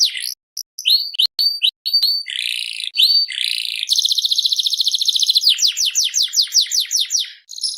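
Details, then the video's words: Canary, seri FI, singing vigorously: scattered whistled notes and buzzy phrases, a sustained rattling trill, then a rhythmic run of downslurred chirps and a final short trill. "BURUNG KENARI SERI FI GACOR"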